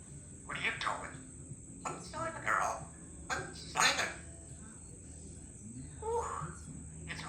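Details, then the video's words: A 3-year-old female Congo African grey parrot, a pet fond of saying "give me a kiss" and "I love you", talks in short speech-like bursts of a second or less over a steady high background hiss. "African Grey Talking Parrot"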